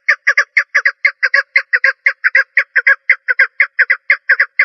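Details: Female partridge giving a steady run of rough, grating notes, many doubled, roughly two bursts a second over nearly five seconds, with a clean quiet background.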